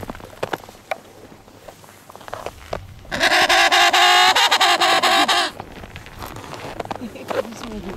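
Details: An emperor penguin on the sea ice between Cape Evans and Cape Royds, Antarctica, gives one loud, rich, trumpeting call lasting about two seconds with a fast pulsing throb; quiet human voices and small clicks come before and after.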